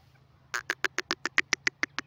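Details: Grey francolin, known locally as desi teetar, giving a quick series of about ten sharp, clipped notes, evenly spaced and growing louder, over a low steady hum.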